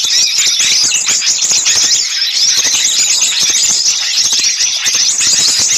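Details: Dense flock of small birds screeching and twittering, played to attract birds for capture: unbroken shrill calling at a high pitch, heavily layered, with quick ticking notes.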